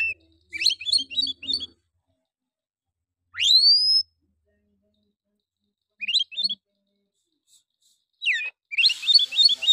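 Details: Oriental magpie-robin singing harsh phrases to excite other males: rapid jerky twittering runs, a long upward whistle, then a dense burst of fast chattering notes at the end.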